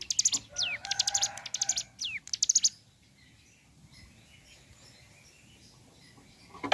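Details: Bar-winged prinia singing in the morning: about two and a half seconds of dense high chattering with a few falling slurred whistles, then faint background hiss only.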